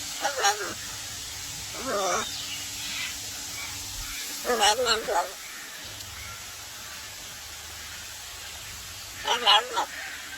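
A young macaw gives short, nasal, wavering squawks in four scattered bursts, with quiet gaps between them and a soft background hiss.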